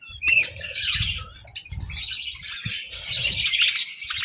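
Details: Budgerigars chattering while sunbathing, a dense band of scratchy warbles and chirps with a few sharper squawks, with low thumps and rustling underneath.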